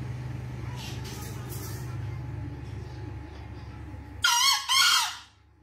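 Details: Green junglefowl calling out for its escaped female: after several seconds of steady humming background, one loud harsh crow of two joined raspy syllables bursts out near the end, then silence.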